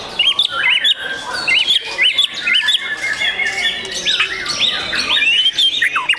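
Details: Young kept white-rumped shama in song: a quick series of bright, looping whistled notes repeated roughly twice per second, followed by varied higher twitters and sharp chips, with other bird chatter in the background.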